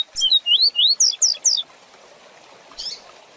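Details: Double-collared seedeater in the quick 'Tui Tui Zel Zel' song for tutoring young birds: seven loud, clear, upslurred whistles in about one and a half seconds, the later ones higher, then a single soft splashy hiss.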